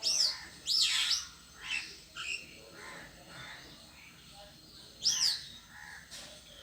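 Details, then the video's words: A lone bird on a tree utters loud, shrill, wavering squeals, two close together at the start and another after a pause, with softer chirps between. "The bird sitting alone on the tree is making a sound"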